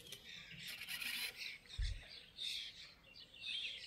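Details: European bee-eater at Izliv Soče nature reserve on 14 June 2024, giving soft, rolling, trilled calls in short bursts about once a second, faint over a hissy background with a single low thump.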